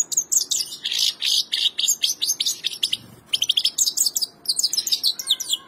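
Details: A goldfinch pours out a lively, high-pitched medley of tinkling twitters, slurred chirps and dry buzzy notes in rapid succession, pausing briefly near the middle before resuming.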